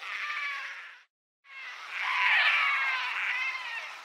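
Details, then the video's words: Painted storks at the nest giving weak, drawn-out moans: a wavering nasal chorus, a brief silent gap, then a louder rising and falling wash of overlapping quavering tones. "Painted stork (Mycteria leucocephala) sound call and song"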